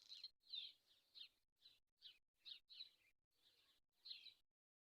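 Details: A swallow calls in quick, high chirping bursts, roughly two a second, each a scratchy twittered note separated by short pauses.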